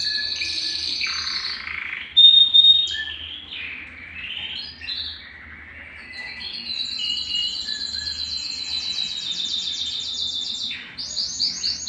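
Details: Belgian canary song for stimulating males and females toward breeding: varied short phrases and pauses, a sharp loud burst, then a long even rolling trill at high pitch ending with pulsed notes.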